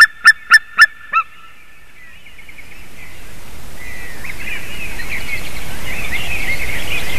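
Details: White-tailed eagle recorded on 28 March 2019 at 06:26, giving four loud, sharp, harmonic yelping notes in quick succession and a weaker fifth, then quieting into steadily rising hiss with faint wavering calls far off.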